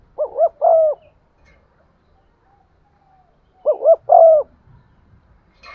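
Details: Lure spotted dove cooing to excite other doves, 'giọng son' style; two low phrases separated by a few seconds of quiet, each a stuttering double note and a sustained coo sliding downward.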